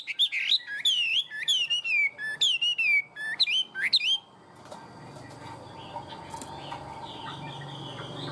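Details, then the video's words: Tame caged Chinese hwamei singing well in the high 'cao cầu' style: loud, clear whistled phrases of slurred rising and falling notes, rapidly repeated for about four seconds, then only quiet background hiss. "Chim họa mi thuần, hót tốt, hót cao cầu"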